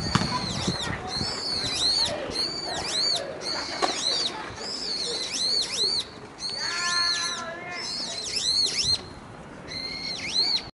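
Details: A single brown-eared bulbul sings loudly with beak open on a metasequoia branch in a park, 9 April 2020 at 17:36: harsh, shrill notes arching up and down in quick bursts, a lower rattling phrase midway, faint hum.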